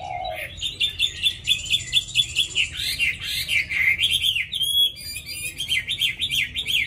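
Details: Tamed caged Hwamei with a wild-style voice, an eager singer, delivering loud rapid series of wavering, warbled whistles repeated about twice a second, with higher tinkling notes layered above and a soft low hum beneath.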